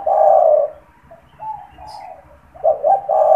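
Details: Caged, frequently calling spotted dove whose voice serves for luring: a long loud low coo, then softer mellow coo notes, then a stuttering double note beginning the next phrase.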